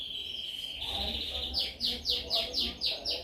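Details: Canary song used for training: a soft, even trill opens, then gives way to a run of six loud, downslurred whistled notes repeated about four times per second, with faint low background rumble.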